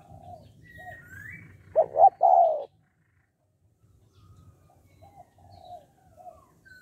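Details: Spotted dove singing in the 'hạp bổi' style, meant to spur males into calling fast: one deep three-note coo with a stuttered start and drawn-out end, preceded by a brief rising whistle from another bird.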